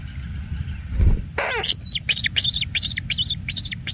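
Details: Single kingfisher chick being pampered with plenty of food: after a low thump, a downward-sweeping call leads into a run of sharp, high chirps repeated quickly, over a low steady rumble.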